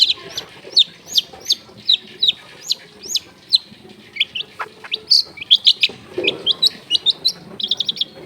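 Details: Long-tailed shrike singing to provoke and tutor other shrikes: a steady series of sharp, high chips roughly every half second, later quickening into denser twittering.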